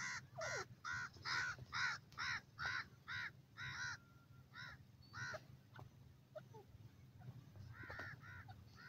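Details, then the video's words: Grey francolin (teetar) giving its Dakhni teetar call: a rapid run of about a dozen harsh, ringing notes at a steady rhythm that breaks off and resumes more quietly, over a low background rumble. "grey francolin Teetar ki awaaz dakhni teeter"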